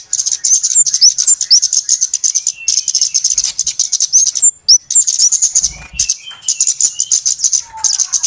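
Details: Lure calling of flowerpeckers, used for trapping. Fast, high-pitched ticking at about four notes a second, interrupted by curved whistles and a brief gap midway, with some lower soft slurred notes.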